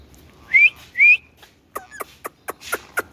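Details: Indian ringneck parakeet giving two loud rising whistles, followed by a loose sequence of short clicks and brief chirps.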